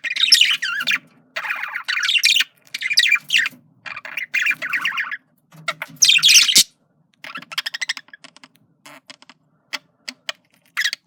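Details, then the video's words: A male budgerigar courting with long, loud runs of scratchy, buzzy chattering and squawks, pauses, then a sequence of sharp isolated clicks and short chirps toward the end. "Male Budgie/Parakeet Sounds Of Flirting"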